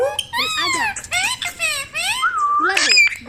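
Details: Pet Indian ringneck parrot talking indoors: high, nasal, speech-like phrases with swooping harmonic syllables, ending in a sustained whistled note and a few sharp squeaks.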